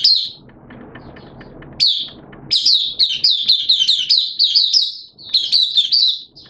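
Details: Mata Puteh (Oriental white-eye) in a cage, 'buka sing' opening song on 11 September 2022 in wet, erratic weather: after a short opening phrase, loud rapid high chirps tumble in an almost continuous warbling run, with a brief pause midway.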